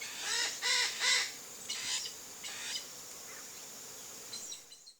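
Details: Chestnut-eared aracari, a wild bird visiting a rural backyard in the Brazilian Cerrado, gives three loud grating rasping notes close together, then two softer rasps and faint high chirps, with constant insect buzz behind.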